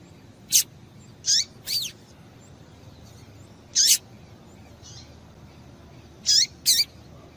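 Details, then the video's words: A female Double-collared Seedeater gives six short, high, sharp chip notes, mostly in loose pairs a second or so apart, over faint background hiss; a call used to stimulate males to sing. "Piado de Fêmea de Coleiro para Esquentar Coleiro"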